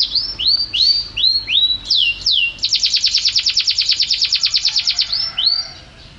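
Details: Unedited canary song opening with several high, swooping downslurred whistles, then breaking into a fast, dense rolling trill of rapid repeated notes lasting over two seconds, ending with two more swooping notes.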